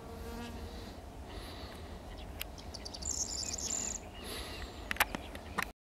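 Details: Corn bunting (Emberiza calandra) song on 10 May 2022: a short, dry jangling rattle of high ticks ending in a glassy jingle, over steady wind rumble with a few scattered clicks.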